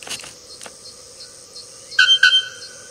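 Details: Bare-throated bellbird, a bird of preserved forests known for its powerful metallic song heard at long distances; a steady high ringing hum, then two loud clanging metallic notes near the end.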